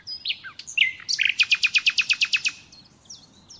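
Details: Captive-training song of a common nightingale: a few varied whistled notes, then a loud rapid series of about thirteen identical piping notes, evenly spaced, before trailing off into soft high calls.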